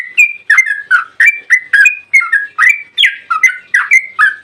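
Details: Yellow-vented bulbul in agitated full song of the long rapid 'ropel panjang' style, used as a lure to make other bulbuls sing: fast run of bubbly, slurred whistled notes, rising and falling, about three per second, with no other sounds.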